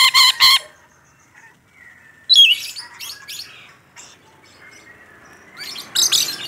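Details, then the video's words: Rainbow lorikeet, a caged bird described as in full voice: two loud raspy squawks, then a varied mix of quieter squeaks, chatter and harsh notes. "Suara Burung Nuri Pelangi Gacor"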